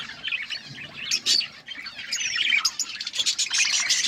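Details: A group of colourful pet budgies chattering: busy overlapping high chirps and warbles, with scratchy squawks rising and falling throughout.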